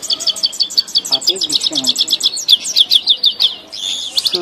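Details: Grey-headed goldfinch singing in Tajikistan: fast twittering phrases of high, sharp notes, repeated in quick trills and buzzy bursts, with a few lower chirps from other birds beneath.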